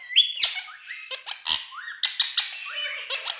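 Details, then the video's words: Large male Indian ringneck parakeets in a room give shrill, high squawks and clipped whistles, with sharp clicks and quick chattering notes between them. "Indian🌶Talking Parrots"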